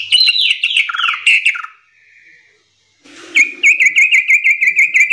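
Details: Cascading bulbul phrase from a young yellow-vented bulbul, with notes tumbling downward, a pause, then a steady string of quick, evenly repeated whistled chips.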